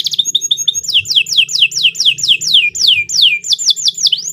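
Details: Canary, long training song for young birds: a few short high notes, then a steady string of descending whistled slurs, about three per second, with a faint low hum beneath.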